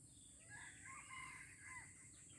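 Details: Red junglefowl in Aceh during a first lure test, giving a short, hoarse crow: a rising-then-falling harmonic phrase of about one and a half seconds, with a constant high insect whine behind.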